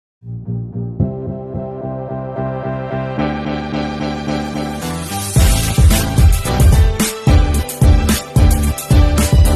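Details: Organ and keyboard music fills the whole recording, building into a rhythmic band sound, with no animal calls.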